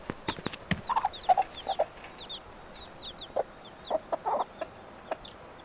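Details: Domestic hen out foraging with her five chicks; low soft clucks in short bursts mixed with thin high descending chick peeps, scattered clicks and rustling.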